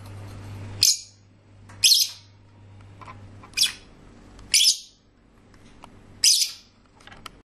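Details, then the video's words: Lovebird song made of five loud, high, scratchy chirps about every one to two seconds, each a brief harsh burst, over a low background hum. "Love birds singing nicely"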